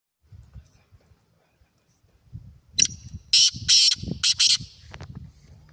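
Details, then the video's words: A black francolin gives a loud, harsh, grating call: a short note, then three rasping bursts about half a second apart, over a low murmur of voices. "kala teetar ki awaz | black Partridge voice"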